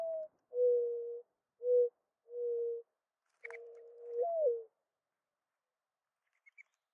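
A mourning dove gives a series of soft, low, hollow coos, mostly steady in pitch, the last one swelling and sliding down; a faint high chirp follows.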